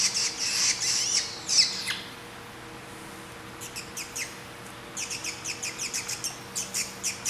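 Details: A three-week-old grey treepie chick, found by a road in southeastern Taiwan and being hand-fed, begs for food with harsh, rasping squawks, first a loud burst and then a steady run of short scratchy notes about two a second.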